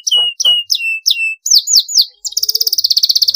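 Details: Canary in long rolling song used to train other birds: four slow drawn-out falling whistles, three quicker swooping notes, then a very fast even trill of rapidly repeated high notes.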